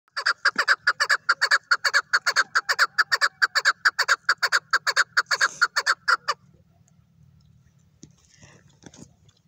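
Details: Chukar partridge calling: a fast, even run of throaty chuck notes, about two per second, for six seconds, then near silence with a faint low rumble and soft rustling.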